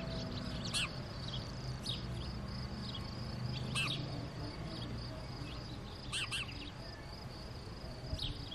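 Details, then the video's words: Female house sparrow bringing food, filmed with a mirrorless camera and telephoto lens; short high chirps come in brief clusters about every one to two seconds over steady low background hum. "Female House Sparrow brings food, Spatz bringt Futter"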